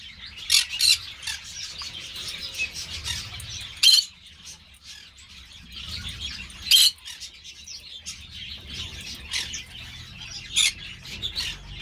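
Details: Green-cheeked parakeets in a breeder's care: harsh, buzzy shrieks every few seconds, loudest near 4 and 7 seconds, with steady low twittering and hum underneath.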